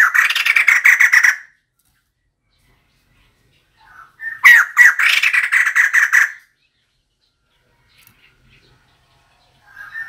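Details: Female White-crested laughingthrush call used as a decoy: two separate bouts of harsh, rapid chattering, each one to two seconds long, with a short pause between them and a faint brief note near the end.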